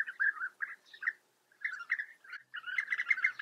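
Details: At a European bee-eater colony in the Eifel, Germany, bee-eaters give rolling, liquid 'prruip' calls in quick bursts, several birds overlapping into a busy chorus toward the end.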